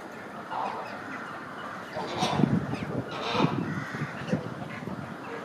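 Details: Chilean flamingos in a synchronized group display; low, gruff grunting calls in short bursts around two, three and a half and four seconds over a steady background hiss.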